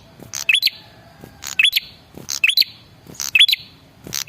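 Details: Red-headed prinia male lure call to draw answers from other birds: snappy high chirps and clicks repeated about once a second.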